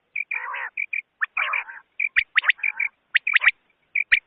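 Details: Common quail (batair) sounds for night hunting: quick high whistled pips, sharp double and triple notes, and two longer harsh, nasal buzzes, all crowded together.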